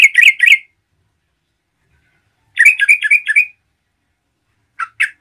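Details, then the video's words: Yellow-vented bulbul in full voice to provoke other bulbuls: a rapid bubbly phrase of three notes, a longer five-note gurgling phrase after a pause, then two short chirps. "MERBAH CEROCOK GACOR GARUDA AMPUH UNTUK MENDRONGKRAK EMOSI TRUCUKAN LAIN"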